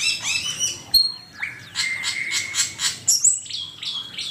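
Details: An Asian pied starling used as a training master sings high whistles, a sustained level whistled note under rhythmic harsh pulses, and sharp squeaky chips toward the end.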